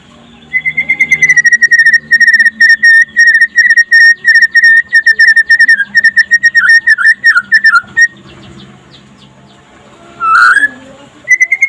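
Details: White-rumped shama (murai pastol) song by day, a master recording to make other shamas sing: a long even pulsed whistle on one pitch with small wavering notes, a pause, then a brief loud squeak, over a low steady hum.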